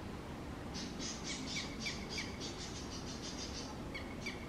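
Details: A parent Red-wattled Lapwing fiercely protects its chick from a trespassing adult peafowl in Coimbatore, Tamil Nadu, India, on 29 April 2019. It gives a rapid run of about a dozen sharp, ringing notes, pauses, then adds two more over steady background hiss.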